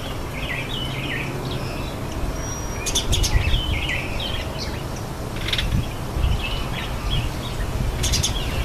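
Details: Red-faced mousebird visiting a birdbath: many short, high whistles and chirps scattered throughout, interrupted by a few crisp splashing bursts, with steady low rumble beneath.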